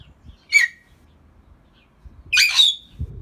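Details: A talking greater hill mynah pair: a short sharp squawk, then after a pause a longer harsh, buzzy call that trails into a level whistled tone. Soft low thumps are heard in the background.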